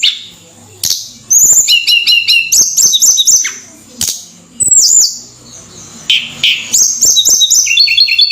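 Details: Flowerpecker (tledekan) singing energetically (gacor), played to lift other birds' spirits: bursts of high, thin whistled notes and rapid repeated trills, separated by short sharp clicks and quiet gaps.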